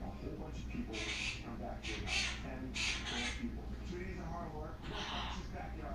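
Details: A pet male Quaker parrot chatters to himself when no one is around, upset and forgetting the words of his owner-made song; rasping, syllable-like bursts follow each other rapidly over a steady low background hum.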